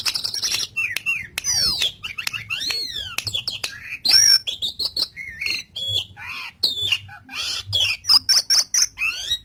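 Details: Energetic jalak suren song recorded for teaching caged starlings: sweeping whistles rising and falling, sharp clicks, squeaks and scratchy bursts in quick succession.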